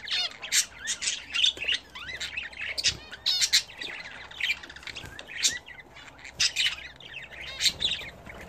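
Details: Budgerigars kept indoors as a hobby chatter while bathing, giving rhythmic clusters of scratchy squawks and rising, twisting chirps, with many birds calling over one another.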